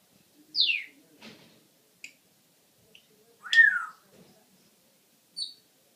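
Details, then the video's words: Pet parrot calling indoors in a small room: a sharp descending whistled squawk, a short chirp, then a louder downward-sweeping squawk and a brief high note near the end. "Alex again making sounds"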